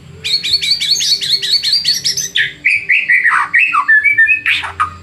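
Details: White-rumped shama song used as a lure to provoke rival shamas into singing: a rapid string of about a dozen bright, repeated two-part chips, then varied whistled notes sliding up and down.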